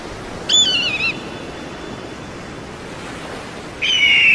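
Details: Eagle calling with a sharp, high whistle that wavers and slides downward, then a second call beginning about three seconds later. A faint steady hiss runs underneath.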